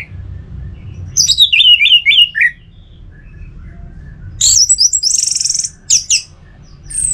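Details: In Singaraja, North Bali, a caged orange-headed thrush sings at home in the 'teler semi doyong' style. A descending chain of slurred whistles is followed by a long, high, buzzy, pulsing phrase and a final high whistle.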